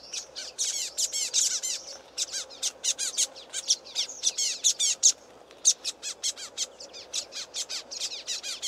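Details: Excited flock of common waxbills in a reed bed beside a stream, giving loud, shrill, buzzy chirps in quick overlapping bursts, with a brief lull midway before the chattering resumes.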